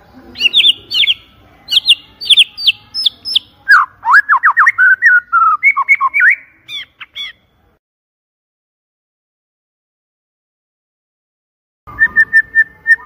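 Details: White-rumped shama song, a loud clear-voiced lure recording: quick repeated notes near the upper range, then a run of rapid sliding, rising whistles lower down, abrupt silence for several seconds, then a steady high whistled phrase returns.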